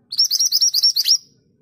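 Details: Scarlet minivet, called mantenan gunung, giving a long rolling song phrase: around eight quick, piercing, upslurred whistles in a steady rhythm, the last note slightly longer. Quiet background.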